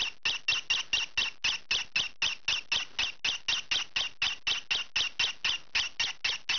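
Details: Green pied rosy-faced lovebird youngster calling while scratching indoors; a long, very even run of rasping, shrill squawks, roughly thirty notes at about four per second.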